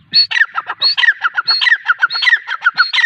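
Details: Female grey francolin delivering a loud, rapid, rhythmic series of call phrases, each a high down-slurred whistle followed by several short, harsh notes, repeated without pause.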